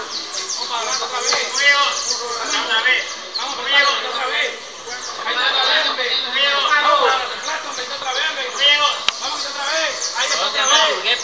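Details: Saffron finches (canario criollo) at a 2024 singing contest in Valledupar, Colombia: dense, overlapping bursts of bright chirped and trilled phrases, several birds singing at once, with men's voices talking over parts of the contest.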